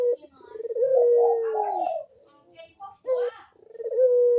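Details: Barbary dove (puter), kuk-deruk cooing meant to prompt quiet doves into singing. A rough rolling phrase swells into a long steady low coo that slides down. After a pause, another phrase starts and settles into a held tone.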